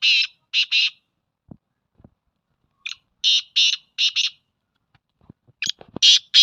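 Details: Black francolin repeating its rasping call, three phrases of clipped, harsh buzzy notes in a stuttering pattern, a short lead note before each group, with scattered low taps and clicks in the gaps.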